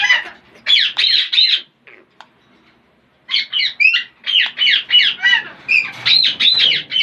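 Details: Parrots making weird sounds: a quick run of rough squawks, a short pause with one faint click, then steady chattering squawks at a fast pace to the end.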